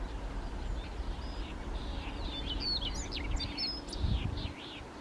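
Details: Handheld recording of a Siberian rubythroat singing at Kushiro, Japan, 3 July 2019: a fast stream of bright chirps, rising and falling whistles and twittering, against steady low-pitched background noise and a brief thump near the end.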